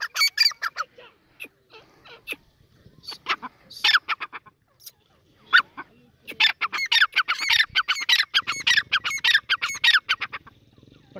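Grey Francolin giving loud, harsh, ringing notes in rapid repeated bursts that build into a fast chattering series; a faint low hum underneath.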